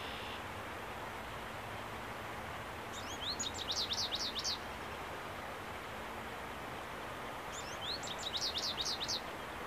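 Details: An American goldfinch sings two quick bursts of high, twittering zigzag notes, each about a second and a half long, over a steady rush of background noise; territorial birds, recorded 30 April 2015.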